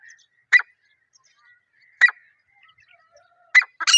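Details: Wild partridge (teetar) calling in a jungle: three short, harsh, sharp notes spaced about one and a half seconds apart, with faint bird chirps between and a louder burst of calls at the end.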